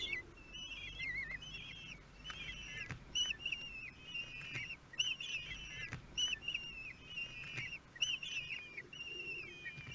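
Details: Thirteen-day-old kestrel chicks at the nest in Théding, France, begging during a feeding on 5 June 2022: shrill, wavering whistled squeals with quivering, slurred notes, given in overlapping bursts roughly every few seconds, with faint low rumbling beneath.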